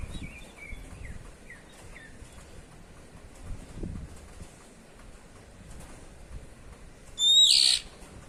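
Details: Oriental magpie-robin giving a ngeplong-style 'cier' call: soft thin whistled notes falling in steps, then one sudden loud rasping burst with a whistled start near the end, over quiet low background rumble.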